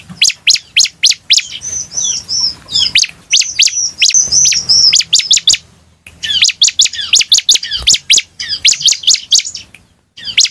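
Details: Bar-winged prinia singing hard as a lure recording: long runs of piercing, rapid chirps mixed with a drawn-out high whistled phrase, continuing with few breaks.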